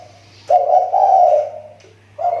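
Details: Short burst from a kepri spotted dove kept as a lure bird, voice getting better after a dip: one long, husky, rolling coo, then a fresh phrase beginning, over a low electrical hum.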